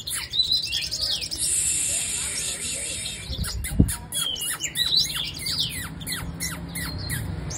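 A female sunbird sings a quick run of thin, high, sharply falling chirps. A steady high whine and one dull thump are heard partway through.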